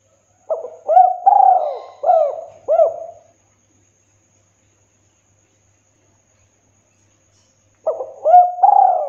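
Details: Spotted dove in lively 'kuk 2' style song, clear and full-toned, recorded for training and luring birds: two cooing phrases of arched, hollow notes, the first with about five notes, the second beginning after a long silence.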